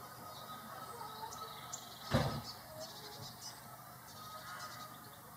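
A common moorhen gives one loud, harsh, explosive croak partway through, against a quiet background with faint high chirps and a low hum.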